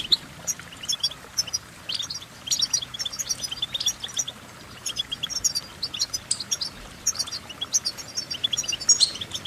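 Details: Goldfinch singing a busy, tinkling series of high chirps and buzzy trills, delivered rapidly and somewhat quietly, with steady background noise underneath.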